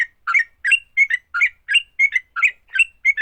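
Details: Fighting song of a sooty-headed bulbul, meant to provoke other bulbuls into song: paired chirpy, slurred notes repeated about once a second in a steady, lively rhythm.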